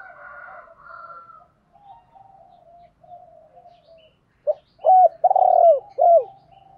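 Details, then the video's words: Spotted dove calls used to stimulate birds during training. Faint, drawn-out low coos come first, then a loud burst of short arched coo notes and a longer sustained coo near the end. "cu gay moi gay goi cu moi cu gay cu moi"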